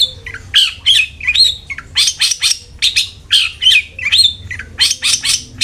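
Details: Lure recording of a long-tailed shrike singing to spur another bird into song: bursts of scratchy, chattering notes interleaved with short rising whistles, delivered in quick uneven groups.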